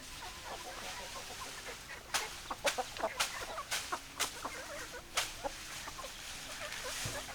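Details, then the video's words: Hens give short, repeated clucks, about two per second at their busiest, over sharp clicks, noisy bursts and a faint steady hum. "Chicken Sounds Noises Hens Clucking Roosters Crowing"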